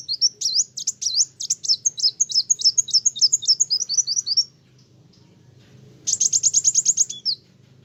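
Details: Kolibri wulung sunbird in lively song that riles other birds: a long string of quick, high, sharp chips lasting about four seconds, then after a gap a shorter, tight trill ending in a slurred note.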